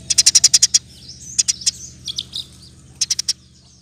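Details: Eurasian tree sparrow in energetic 'gacor' roll-tembak song, used as master recording for training songbirds such as magpie-robins; a burst of seven rapid high chirps, scratchy twittering notes, then three or four more quick chirps over a faint low hum.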